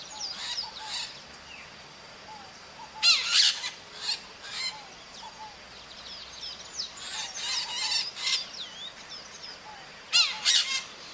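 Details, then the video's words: Maritaca parrots calling in the wild, giving harsh grating squawks in short clustered bursts spaced a few seconds apart, while other birds add soft descending whistled notes between them. "O CANTO DA MARITACA NA NATUREZA"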